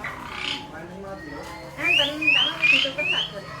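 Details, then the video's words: Asian pied starling singing very actively: after a quiet start, a run of four short whistled notes sweeping upward, each paired with harsh, raspy squawks, over about one and a half seconds. "JALAK SUREN SUPER GACOR"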